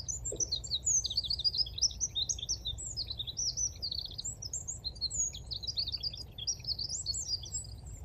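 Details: Eurasian wren giving its mating song on 17 February 2023 in the Dnipro river floodplain at Konche-Zaspa, Kyiv, Ukraine: a loud, rapid, unbroken run of high, sharp twittering notes and trills lasting the whole stretch, over a low background rumble.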